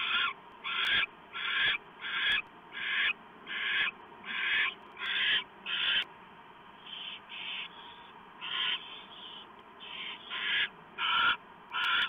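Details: Owl at a nest on the evening of 1 November 2015 at 7:12 PM, as a small mouse is delivered. Harsh, rasping screeches repeated roughly every 0.7 seconds, with a few short gaps, over a steady low hum.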